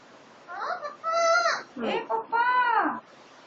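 An Alexandrine parakeet talks in a nasal, harmonic voice, giving three or four quick word-like phrases with rising and falling pitch over about two and a half seconds.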